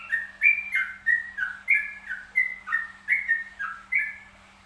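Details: Zebra dove, locally called perkutut, of the trucukan style, singing in a relaxed setting: soft rolling cooing phrases of clipped stepped notes, about ten pulses in under five seconds, with a faint steady low hum beneath.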